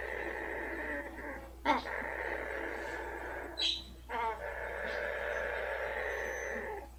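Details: Rump-rubbed pet female blue-fronted amazon producing a long steady raspy purr interrupted by a few sharp snort-like clicks, while a quiet room hum runs underneath.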